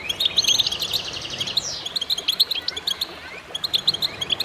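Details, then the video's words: Several goldfinches in concert, a busy tangle of high tinkling twitters and chirps, with one clear downward-slurring note near the middle before the twittering resumes. "voices a chorus of goldfinches in concert to stimulate birds"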